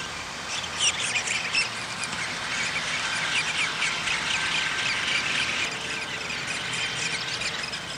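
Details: Downy woodpeckers feeding at their nest on 20 May 2021; dense, continuous high chattering and squeaky notes pour out nonstop for the whole stretch, with a faint hum underneath.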